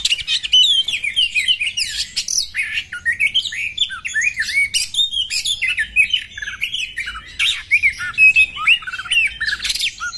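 A female Oriental magpie-robin sings a nonstop run of bright, varied whistles and scratchy chirps, high and fast, with short rising and falling phrases. No other sounds.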